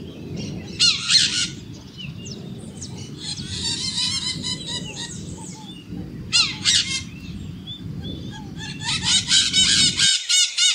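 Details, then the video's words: Maritaca parrots screeching in loud, grating bursts of rapid squawks, separated by short pauses, over a steady low rumble of background noise that stops shortly before the end. "Maritaca Gritando Cantando o Canto da Maritaca"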